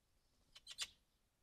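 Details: Young magpie begging for food: three quick, harsh, raspy bursts in rising loudness within half a second, against a quiet background.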